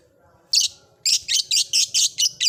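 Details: Blue ice lovebird in an old cage, starting ngekek: harsh, noisy high squawks, one then a run of seven in quick succession about four per second, over faint low hum.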